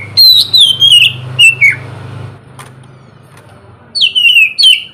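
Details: Oriental magpie-robin morning song meant to prompt lazy birds to sing: loud clear whistled notes sliding downward in short phrases, a gap with low background hum, then more descending whistles.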